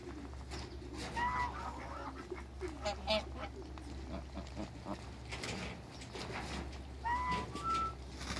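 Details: African and Toulouse geese in a backyard calling with scattered nasal honks and short clear notes, several birds overlapping above a steady low hum.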